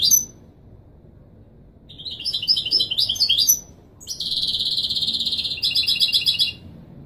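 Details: European goldfinch performing Wiydani Marrakchi style song for teaching chicks: an opening chirp, then a jangling twittered phrase, followed by a long sustained buzzy trill lasting over two seconds.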